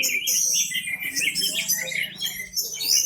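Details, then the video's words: Orange-headed thrush in full, loud song with its tail open, serving as a lure that sets other birds singing: continuous high twittering, whistles and rapid warbled notes with hardly a break. "Anis merah teler pules volume joss buka ekor pancingan burung yang lainya ikut bunyi"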